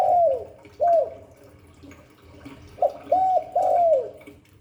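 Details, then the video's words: A spotted dove's falling coos open the recording, then after a quiet spell a three-note Hạp Bổi phrase of short, rounded, arched notes. "Tiếng chim cu gáy Giọng Hạp Bổi 38. Đủ bài THúc GÁY GỌI - GÙ HAY Kích Bổi Nhanh Nổi, Cu đất gáy"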